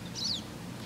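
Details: Pine Siskin, heard but never seen, at Algonquin Provincial Park, Ontario, on 27 October 2021, giving a single high, thin call that rises then slurs downward, about a quarter second, over a low steady rumble.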